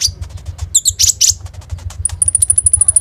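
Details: Common iora (konin), recorded by phone as a lure to make sunbirds sing, in rapid 'roll tembak' style; a few scratchy high notes and soft clicks, then an evenly spaced, very high pulsing trill over low background hum.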